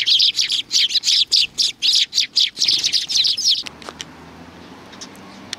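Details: Sparrows greeting arrivals at a Tenmangu shrine, 3 July 2020: a fast run of bright, high chirps, about four per second, ends abruptly, leaving a few faint tweets over quiet background.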